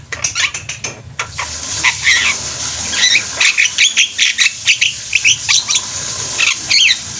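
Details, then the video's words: Javan myna flock in full voice, chattering with scratchy, wheezy squawks in rapid irregular succession over a constant hissing background. "Burung jalak kebo ombyokan juga bisa gacor"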